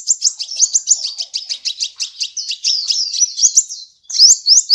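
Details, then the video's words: High, rapid sunbird twittering from a training recording for cage birds, a continuous stream of quick rising chirps, a brief silence near the end, then more upslurred notes. "Masteran Terbaik Kolibri"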